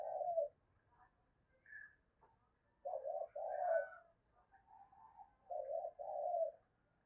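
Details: Spotted dove cooing as a lure meant to provoke other doves to answer: low, hoarse, rounded coos in paired and grouped phrases, with a few fainter higher notes between them in a quiet setting.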